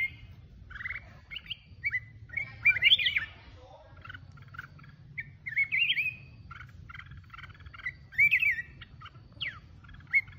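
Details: Red-whiskered bulbul of the mountain type in solo song, giving lively whistled phrases with quick upward sweeps and chirps, delivered in separate bursts every second or two against a faint low rumble.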